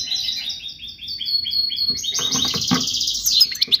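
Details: European goldfinch song meant to instruct young birds, beginning with a series of evenly spaced repeated whistled notes, then swelling into a dense buzzy trilling chatter, with faint low background hum throughout.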